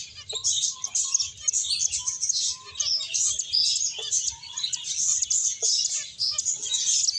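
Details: A group of finches eating and playing, giving nonstop rapid high twitters and chips, with occasional short clicks and quieter lower calls mixed in.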